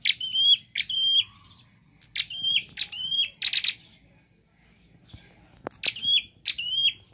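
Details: Varied, chattering prinia song: repeated phrases of a sharp click followed by a high flat whistle come in quick pairs, with a brief quiet gap before the pattern resumes.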